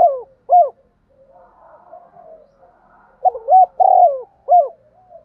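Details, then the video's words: Spotted dove cooing while provoked to fight and calling: low, hooting coo notes, two short coos, a soft murmuring pause, then a quick run of three or four rounded coos. "cu gay kich boi nhanh noi gù/ cu gáy thúc đấu & gáy gọi"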